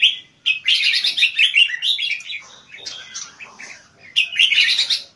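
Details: High-frequency keke singing from a caged Red-whiskered bulbul bred for contest stamina; dense, fast, bright warbling strings of notes in two long bursts separated by a brief pause.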